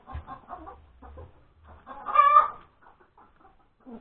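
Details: At breakfast time on 31 January 2021, a hen that has just laid an egg gives soft, scattered clucks, then one loud, drawn-out nasal squawk near the middle before quieter clucks resume.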